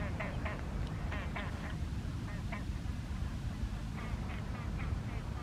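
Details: Loud rasping calls of a great crested grebe, recorded at Lazise, Lake Garda, Italy, on February 23, 2023, come in short clusters with pauses between, partly buried under a heavy, constant low roar.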